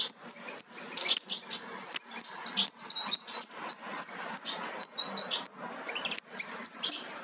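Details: European goldfinch fledglings almost ready to leave the nest: high, thin chirps repeated in quick, steady pulses, several to a second, throughout.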